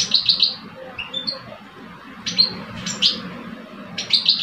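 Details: Two caged male European goldfinches, an older adult and a two-year-old, in a singing match in Algeria. Sparse clear bell-like notes and short tinkling trills at start and end, quieter gaps between, over steady low hum.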